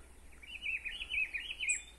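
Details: A Double-collared seedeater singing a quick, wavering one-and-a-half-second warble in breeding season, among other singing birds in an area expected to hold nests; a thin high chip follows over faint low hum.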